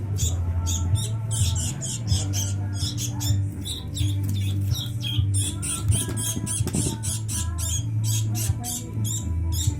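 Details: Sooty-headed bulbul chicks begging while being fed: rapid series of short, harsh, high buzzy bursts repeated throughout, loud and dense, over a steady low droning hum with some music-like tones.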